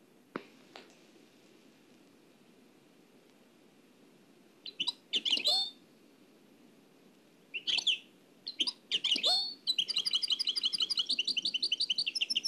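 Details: Nightingale song from Oued El Alaiq, copied from an old cassette: quiet opening clicks, then bursts of rich high phrases from about five seconds, ending in a fast, even, buzzy trill of repeated notes.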